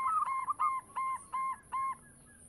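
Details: Local zebra dove song meant to draw in other doves: six evenly paced hollow coos, each with a slight upward hitch, over a noisy low background and a faint steady high tone.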